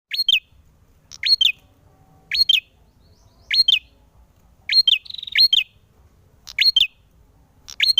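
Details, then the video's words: Male ashy tailorbird singing actively in fighting mode: sharp high upslurred notes, each dropping into a short twitter, repeated roughly once a second, with one buzzy trill midway; quiet background. "Burung Prenjak Gacor Tarung"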